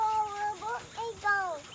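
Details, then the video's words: Quail, newly kept on a farm, give four quick, clear chirps in under two seconds, each a smooth tonal note slurring downward, with faint background hiss; finding: quail. "Quails, Quails and more Quails. Volume up to listen to them chirping!!"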